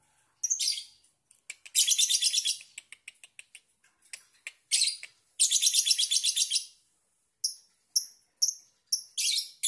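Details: Young lovebird in a quiet indoor setting, giving bursts of shrill, high chirps and rapid trilled chatter. Some runs last about a second, with sharp single squeaks and short pauses between them.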